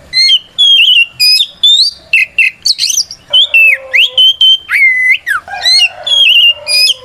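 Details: White-rumped shama in full continuous fighting song, used as a lure to provoke other shamas into answering: loud varied whistles, slurred rising and falling notes and rapid chattering phrases in quick succession, with a faint lower whistled tone beneath.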